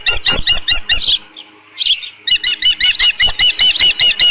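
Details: Osprey at its nest at Dunrovin Ranch, 13 June 2018, late morning, with leftover fish: loud sharp whistled chirps repeated about twice a second in fast series, pausing briefly before resuming.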